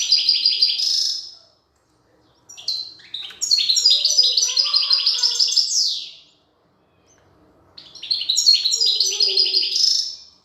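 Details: Female European goldfinch feeding her chicks; three loud bursts of rapid, buzzy, stuttering high notes, the longest lasting about three seconds, separated by brief silences.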